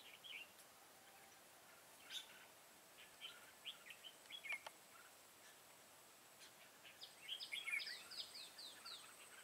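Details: A trapping session on 25 September 2018 uses a decoy red-whiskered bulbul that fight-sings to draw in wild birds. Brief chirpy notes come irregularly at first. A dense run of bright, slurred warbling phrases follows toward the end.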